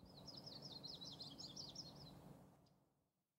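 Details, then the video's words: Yellow-rumped (Myrtle) warbler sings a loose, high, slurred trill of quick jumbled notes lasting about two seconds, over a low rumble of background noise; Yellow-rumped Warbler. "Yellow-rumped Warbler Bird - Song"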